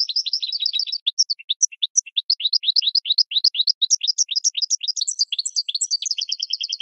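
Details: Cage-bird training song of a goldfinch: continuous high-pitched twittering with quick chirps, brief tinkling notes, and a closing run of evenly repeated twin chirps. Nothing else audible.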